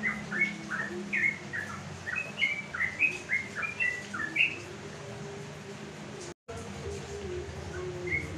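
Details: Sooty-headed bulbul set on a house terrace in the afternoon, singing to call rivals so other bulbuls answer. It gives bubbly, rising-and-falling whistled notes in quick phrases for about five seconds, then a lone note later, over steady background noise.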